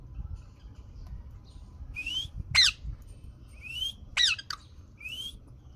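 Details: Green parrot alternating short rising whistled notes with harsh, rasping squawks, about five calls in six seconds, over low background rumble.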